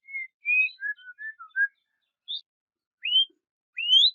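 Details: White-rumped shama, singing to provoke a rival, gives soft, separate whistled notes, some level and some gliding up or down, spaced out with short gaps and ending on two rising whistles.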